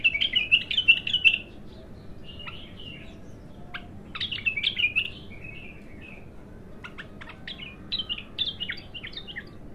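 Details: A raw bulbul's first song opens with a dense, bright warbling phrase. Shorter chirped phrases and separate sharp notes follow at intervals over a low, steady background hiss.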